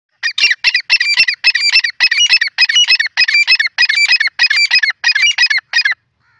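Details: Grey francolin (teetar) calling loudly: a rapid, harsh series of about twelve grating bursts. Each burst is a cluster of quick notes, and they repeat roughly twice a second for six seconds with clean silence around them.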